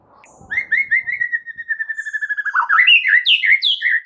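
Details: White-rumped shama in full song, meant to spur reluctant birds: a rapid even series of whistled notes accelerating into loud, varied upswept phrases.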